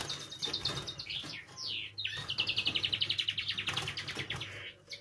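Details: Canary singing to spur other canaries into song: fast pulsed notes, sweeping whistles, then a rapid rhythmic trill of repeated syllables over a faint low hum.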